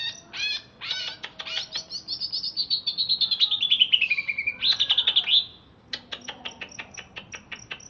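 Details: Crewet-style chatter from a just-bathed caged greater green leafbird of Alas Purwo, Banyuwangi, held in Jatiasih, Bekasi. Rapid scratchy notes run into a long descending whistled trill, then a dense burst, a brief gap and a string of thin, evenly spaced ticks.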